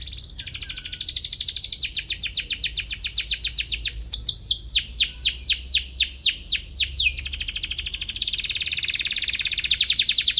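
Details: Canary in rival-seeking song, for teaching young canaries: a long rapid trill grading into slower, deep down-swept notes about four per second, then a dense buzzing trill.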